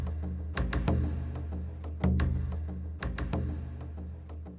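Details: Low, droning music with sharp percussive strikes and clicks, and no animal voice anywhere.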